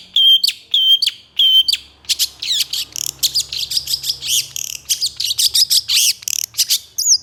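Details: Long-tailed shrike in full song, quickly stirred by other shrikes, packed with coarse borrowed notes: three clear whistles, then a rapid varied run of warbles that ends in upward slurs.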